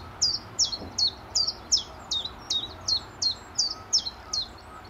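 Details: Spring chiffchaff near Standalone Farm, Letchworth, early morning in March 2014, moving about and preening. A run of roughly thirteen bright, high notes, each sliding downward, repeats evenly at under three per second with soft background noise.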